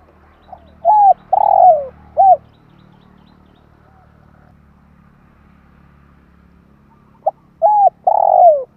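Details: Spotted dove call for exciting decoy birds: a faint note, a smooth coo, a long rolled coo and a short arched coo, then after a pause another phrase begins, over a steady low humming background.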